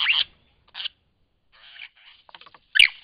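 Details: A lyrebird in Cape Liptrap Coastal Park gives a rapid run of varied, scratchy and chattering high notes in short bursts, ending with a sharp, loud whip-like crack.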